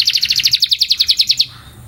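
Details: Canary training song, a 'puxada' meant to improve singing: a quick run of about fourteen bright, buzzy repeated notes that stops abruptly after a second and a half, leaving near-silence.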